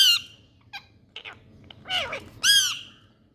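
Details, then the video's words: Indian parrots at play: loud harsh squawks at the start and end, broken by short clicks and a falling, buzzy chattering call in the middle. "Indian Parrots🥀Playing Talking"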